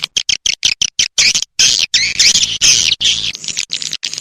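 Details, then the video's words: Swiftlet rainy-season calls open with a regular string of clicks. Wavering, buzzy chittering bursts follow, separated by brief pauses. "Suara Walet Sp. musim Hujan"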